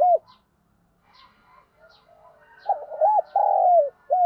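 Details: Spotted dove cooing in a lure voice used to provoke wild rival males; a brief low coo, a quiet stretch of soft notes, then loud, throaty, wavering coos and a final hooting note close together.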